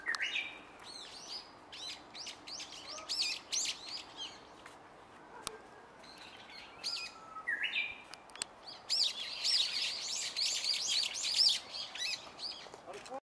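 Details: Japanese bush warbler in the tea-room garden of the Gotoh Museum at Kaminoge, Tokyo, singing bursts of quick, high, down-slurred notes, with a long steady lower whistle midway and a dense stretch of bright repeated notes toward the end.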